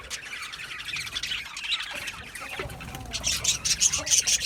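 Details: Budgerigars in a small home setup, chattering in a soft busy warble that turns into a loud run of sharp, rapid high chirps toward the end.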